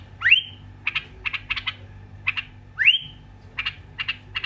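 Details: Iraqi bulbul repeating a rising slurred whistle twice, each followed by rapid bursts of dry, clicking chirps; a constant low mechanical hum runs beneath.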